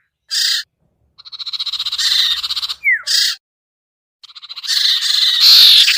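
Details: Sirtu lure to draw birds down: a short harsh burst, a long accelerating pulsed trill, a sharp falling whistle, then dense buzzy chatter with a faint low rumble.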